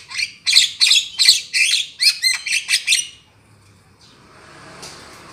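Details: Lure call of the black-winged myna for trapping: about eleven rapid harsh chattering notes over three seconds, then quiet with some rustling noise.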